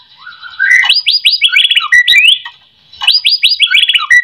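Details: White-rumped shama song used to make other shamas sing: a quick series of bright, rising slurred whistles and short trills, then a pause and the same phrase again.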